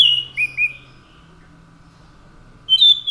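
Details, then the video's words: Brief snatch of orange-headed thrush (anis macan) song: a couple of slurred whistles, then silence, then another loud high whistled phrase. "SUARA ASLI ANIS MACAN GACOR"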